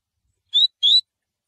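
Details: Tui tui song style of a Coleiro (Double-collared Seedeater), used for training: two clear whistled notes, each rising gently in pitch, separated by a short gap, against a silent background.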